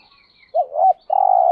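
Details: Spotted dove, a call used to stir up other doves, in thúc gù, gáy gọi and đảo bài styles: a short rising-falling double hoot, then a long level coo, with faint high tones behind.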